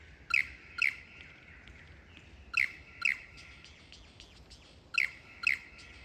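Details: Before the mating season a lyrebird learns to sing and dance; three pairs of loud, piercing chirps, each note sliding downward, pairs spaced roughly two seconds apart over a steady ringing background.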